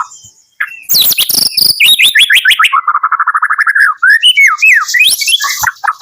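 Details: Medan-type white-rumped shama singing in the morning: after a quiet start, loud descending whistles run into a long fast series of repeated chipping notes, then varied rising and falling whistled phrases.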